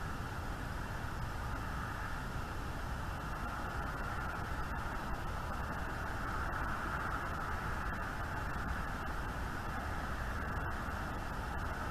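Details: Steady broadband rumble and hiss, like wind or distant traffic, with faint clicks and no animal calls.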